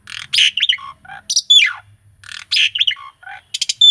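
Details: Asian pied starling master song, recorded live, with rolling and pumping fills, used to stimulate a silent starling: two matching phrases of harsh buzzy bursts, chirps and steeply falling whistles, separated by a short pause.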